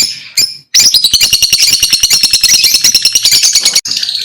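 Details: Lovebirds singing: after two short shrill notes, a steady rapid series of sharp high chirps, about five per second, with a continuous squeaky chatter above, for three seconds.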